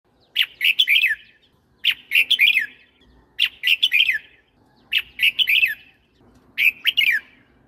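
A red-whiskered bulbul gives five bright, bubbly whistled phrases, each about a second long with rolling up-and-down notes, repeated every second and a half.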